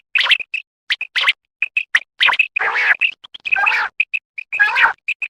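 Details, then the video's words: A quail gives short, sharp whistled notes in quick runs, broken by harsh, raspy bursts. "Batair Quail singing, Batair Shame ki awaz"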